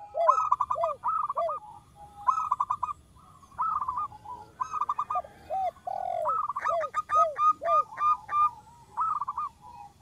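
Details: Zebra dove, a lively local bird singing in a soft voice as a lure: bursts of rapid trilled coos alternate with short pauses, low curved coo notes running under quick nasal pulses, over faint background hiss.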